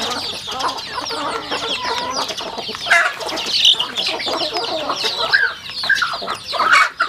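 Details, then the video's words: Rural home flock of chickens eating, with steady high chirping, soft clucks, and bursts of louder pecking and scratching noises toward the end. "Yummy sounds chicken eating"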